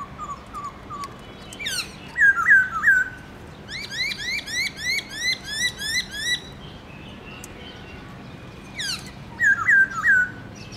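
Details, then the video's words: Caged black-throated laughingthrush singing a varied 'forest voice' song in the morning. Soft whistles and looping bright phrases precede about eight quick rising notes in steady rhythm, ending with more looping slurs. "Khướu bạc má HÓT GIỌNG RỪNG- LUYẾN NHIỀU ÂM"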